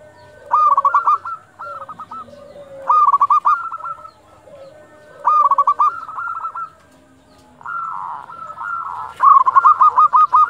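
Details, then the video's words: Local zebra doves at dusk, singing eagerly: bright, rapid stuttering coo phrases of about five notes, spaced a few seconds apart, overlapped by lower, softer dove coos and ending in a long rolling run. "perkutut lokal gacor panggilan waktu senja"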